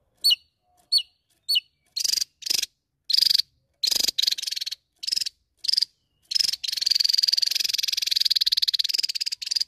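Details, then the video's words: Javan tesia singing vigorously, calling out and challenging a rival: three short, high upslurred chirps, then a series of harsh, buzzy, rapidly pulsed rattles that grow longer and end in one sustained rattle of several seconds. "TESIA JAWA Gacor N3mbak Memanggil Lawan"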